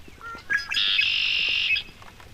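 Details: Red-winged Blackbird at a countryside pond on a rainy spring day, with coots and mallards nearby, gives its territorial call: a few short clipped notes, then one loud, high, harsh, buzzy rattling trill held about a second.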